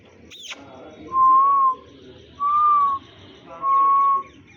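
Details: Green Indian ringneck parakeet kept as a pet, said to sound like a human: three steady, level whistled notes of about half a second each, spaced roughly a second apart, after a brief high squeak, over a low background hum.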